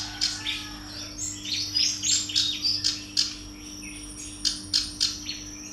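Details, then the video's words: A female bar-winged prinia gives a quick run of varied high chirps and short buzzy slurs, then spaced sharp single notes near the end, above a steady low hum. "suara panggilan betina kerak basi alis hitam"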